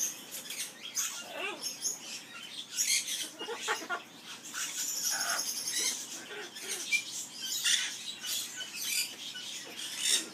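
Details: Skimmeradinkadinkadink song of a captive Amazon parrot: continuous scratchy, grating high chatter with rapid squawky syllables and occasional thin whistled squeaks, moderately loud throughout.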